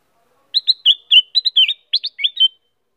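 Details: Busy song of a female Black-crested bulbul: a two-second series of fluty, slurred whistles, alternating falling and rising notes in quick succession, clean background.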